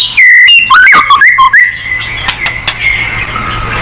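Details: White-rumped shama in full song, played to provoke other birds into singing. Loud, rich whistled phrases with rapid sweeping notes open the clip, then fade to softer scattered notes over a steady low hum.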